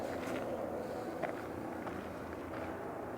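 Outdoor background hum with scattered footstep-like thumps and distant traffic noise, no clear animal call.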